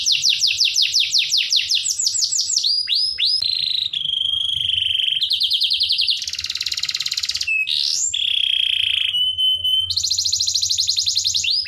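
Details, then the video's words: Canary singing in a master recording used to train other birds: high, continuous song of rapid repeated downward sweeps, buzzy rolling trills, and long steady whistled notes, switching sections every second or two, loud and unbroken. "MASTERAN KENARI"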